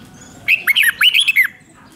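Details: Red-whiskered bulbul from Thailand singing a doubled five-syllable song: a lively string of about seven warbled, liquid notes rising and falling in quick succession, ending on a downslurred note.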